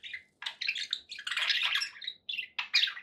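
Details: Cheerful budgerigar chatter: short whistled chirps leading into a loud, harsh, sustained warble, then a few bright squeaky notes.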